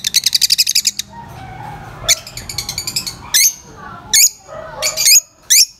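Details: Lovebirds, described as very vocal and noisy with high-pitched chirps: a fast run of rapid shrill chirps opens, then sharp screechy squeaks and chips come in separate bursts over a quieter background hum.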